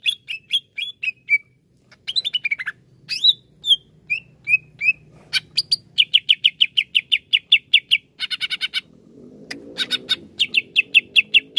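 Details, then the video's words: Greater green leafbird, a kept songbird, giving loose whistled notes that build into long fast strings of sharp repeated chips, broken by a buzzy rattle, with a faint low rumble behind. "TERAPI CUCAK IJO LELET BUNYI"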